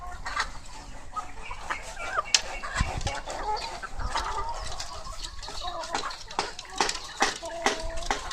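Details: Laying hens in their coop: many overlapping short clucks and squawks from the flock, steady and busy, over a constant low hum.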